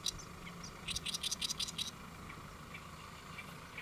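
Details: Great reed warbler on a lotus leaf in Saemangeum, Gimje, Korea, recorded 1 July 2024 around noon; a single rapid burst of about seven harsh, scratchy notes, then near quiet with faint low hum.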